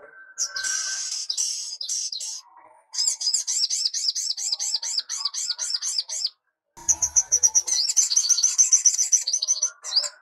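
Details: Sogok ontong sunbird (sogon), used as a singing tutor for young birds, delivering long bursts of rapid, wavering high notes repeated several times a second, separated by short pauses, with a faint low thump between phrases.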